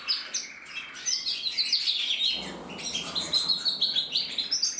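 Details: A captive-bred male canary of the red mosaic isabel variety sings in 2024: shrill rattling trills give way to a steady, evenly pulsed high roll, with a soft low rumble in the middle.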